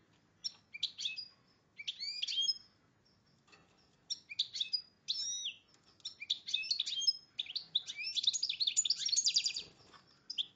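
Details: Hybrid of a goldfinch and a red agate canary in breeding condition delivers high, twittering song bursts. Sharp chirps and rolling trills come in clusters separated by short silences, ending in a dense, buzzy warble.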